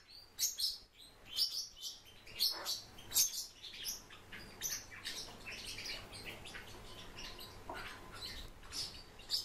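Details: Warbling white-eye kept in captivity, uttering high, thin twittering chirps in loose bursts, denser at the start and fading later, with a steady low hum in the background.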